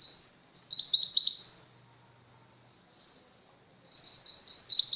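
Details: A female Mountain White-eye, presented as a lively singer for training pet white-eyes, delivers one loud high twittering burst, falls silent, then starts a quieter chatter that builds to loud notes again; clean, quiet background.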